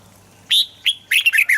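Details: Short burst of red-whiskered bulbul song meant to excite birds into singing: a loud whistled note followed by a rapid chain of bright, slurred, chirpy whistles.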